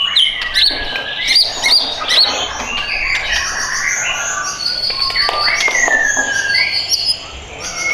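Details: White-rumped shama in a cage, for sale, pours out a dense, fast medley of high whistles, thin ringing notes and clipped chips, nearly continuous before easing off toward the end.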